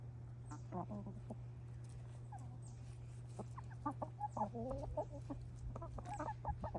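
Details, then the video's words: Hens clucking while eating a winter treat: soft, short clucks and murmurs, sparse at first then more frequent and overlapping, over a steady low hum. "Sweet Chickens Make Cute Noises While Eating a Winter Snack"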